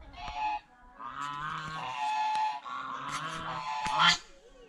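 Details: Geese feeding on bread and vegetables at a fish pond give drawn-out, overlapping honks, blending into a continuous noisy chorus.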